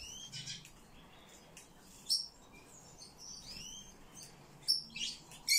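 Eurasian blue tit giving thin, very high calls: irregular sharp chips and short curved, slurred whistles. A low steady hum runs underneath.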